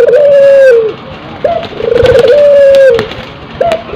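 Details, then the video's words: Breeding-condition hybrid tekukur–puter dove: long flat coo tapering downward, a brief rising note, a trembling roll and another sustained coo, in a slow repeated rhythm. "Suara Burung Puter yang Memukau"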